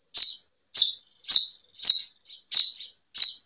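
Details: Kept-bird training song of a bushlark: loud sharp chirps repeated roughly every 0.6 seconds, linked by a thin steady high whistle, in clean quiet surroundings.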